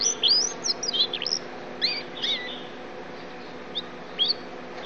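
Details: Yellow-fronted canary freshly out of moult, tutored with blackthroat song: brief bursts of high, quick twittering and swooping whistled notes, separated by short pauses, over a steady background hiss.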